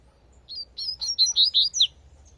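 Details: One wild Double-collared seedeater phrase in the tui tui manner: a series of eight or so bright, slurred whistles, quickening and ending with a sharply falling note, with light low background noise.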